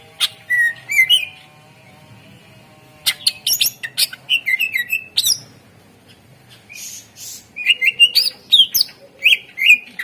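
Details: Vigorous Greater green leafbird song used to stimulate silent birds: phrases of rapid chirps and slurred whistles alternate with short pauses, ending in a dense run of repeated whistled notes.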